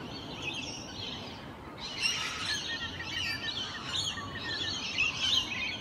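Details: Socialising Rainbow Lorikeets in natural habitat one morning give a dense, continuous wash of shrill, scratchy chattering from several birds, with louder squawks rising out of it around the middle and near the end.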